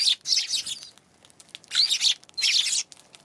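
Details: Eurasian tree sparrow, 11 January, three loud bursts of rapid, grating chirps separated by about a second of quiet.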